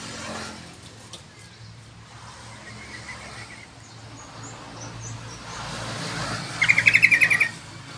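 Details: Yellow-vented bulbul in active song for a lure and tutor recording: after a long stretch of hum and faint distant chirps, one brisk phrase of about eight quick bubbly notes near the end.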